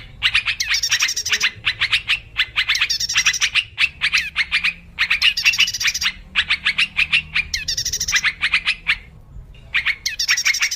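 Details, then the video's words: Wild yellow-vented bulbul, a lure recording for trapping: dense, continuous chattering of short bright notes in rapid rhythmic bursts, with occasional buzzy bubbling phrases and one short gap near the end. "Suara pikat burung trucuk liar"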